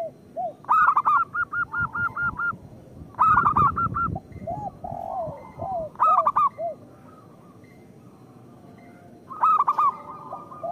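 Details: Local zebra doves singing, a recording meant to lure and stimulate other zebra doves. Four bursts of throaty triple coos, the first trailing into a rapid, regular string of short notes, with softer lower coos between bursts and a quiet gap near the end.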